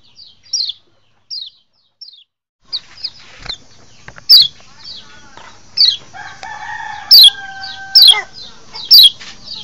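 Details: Lure recording of a kecial lombok white-eye for attracting wild birds. It opens with quiet, thin, falling chirps, then louder high descending notes about once a second, with lower sustained tones partway through.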